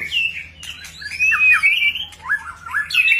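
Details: White-rumped shama, known locally as murai batu, singing during display: a rich run of whistled notes sliding up and down, with quick rising slurs and varied phrases, over a faint low electrical hum.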